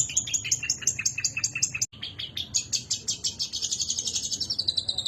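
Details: Long-tailed shrike song used as a training master for other birds. Rapid harsh repeated notes about three per second, a brief break, then a faster buzzy chattering run with high squeaky elements.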